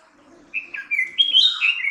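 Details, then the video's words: Red-whiskered bulbul singing: a short, rich phrase of liquid whistled notes that climb and wobble, ending on a higher bubbling flourish, about one and a half seconds long. "Red Whiskered Bulbul - song/call"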